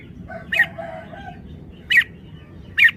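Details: Red-whiskered bulbul giving three sharp, slurred whistled notes about a second apart, while a quieter, lower, drawn-out crowing sound runs underneath during the first second.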